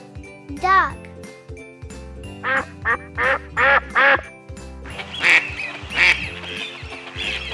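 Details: Duck quacking: a spoken word first, then a run of five harsh, nasal quacks in quick succession and two more louder quacks, all over steady background music.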